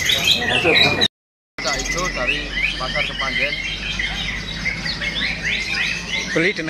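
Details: Contest-winning greater green leafbird, bought at Kepanjen market two months before, pouring out rapid varied chirps and slurred whistles after a brief break, with speech and crowd noise behind.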